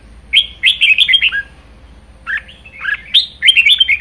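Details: Energetic pet red-whiskered bulbul in full 'ché' chattering song: two dense runs of quick, fluty, slurred notes separated by a brief silence, clear and close with little background noise.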